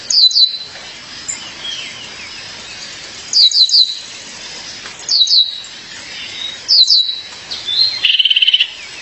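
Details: Female violaceous euphonia calling her partner, with tight groups of two or three sharp high chirps repeated every couple of seconds, quiet whistles between, and a buzzy rattle at the end.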